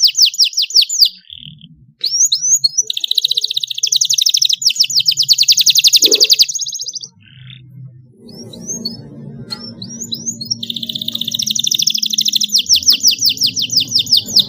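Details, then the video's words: Canary song from a young bird being trained with a recorded model song, rolling trills alternating with short gaps, sharp upswept chips and a buzzy sustained roll, over a faint low background rumble. "Kenari gacor paud belajar bunyi langsung NYAUT dan ngeroll di pancing kenari cengkok mewah"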